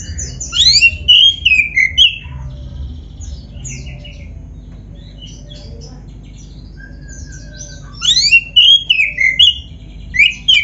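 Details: Black-breasted Oriental magpie-robin singing vigorously, a recording for stimulating caged birds: bursts of sharp whistles and downslurred notes, a long quiet stretch of faint chirps, then another loud burst of song.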